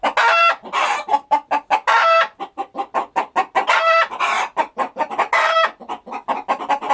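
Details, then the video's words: Farm chickens going about their daily activities, giving dense overlapping clucks mixed with longer, nasal, drawn-out squawking notes that repeat irregularly over several seconds. "Chicken Clucking Sound Effect"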